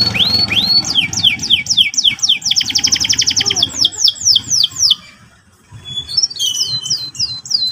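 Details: Canary morning song: quick series of rising high whistled sweeps speeding into a rapid buzzy trill, a short silence, then more scattered upward-slurred whistles.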